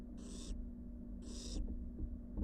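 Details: Two long, snoring hisses, each about a third of a second, come from wild barn owl nestlings returning to their nest box from the porch, over a deep background hum.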